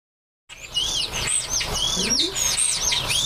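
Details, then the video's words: Common starlings at nesting and nest building, giving a busy run of slurred, rising and falling whistles and squeaky chirps after half a second of silence, packed densely together with little pause. "Stare (Sturnidae) beim Nisten/Nestbau"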